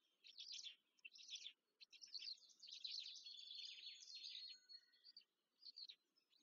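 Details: Black stork (Ciconia nigra) nestlings in Łódź, Poland, fed on 14 May 2023, give shrill, grating high chirps, first in separate bursts, then in a long unbroken squealing run before trailing off.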